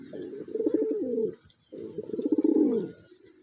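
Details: A racing pigeon in its owner's loft, described as aggressive, gives two deep, throaty cooing phrases, each rolling and bubbling for over a second.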